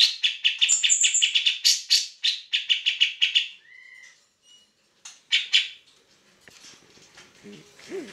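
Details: Grey-cheeked bulbul in full vigorous song, kept as a training recording for other songbirds: a fast run of harsh chattering notes with a brief high whistle near the start, then a short dip, a falling whistle, a renewed chatter burst and faint notes.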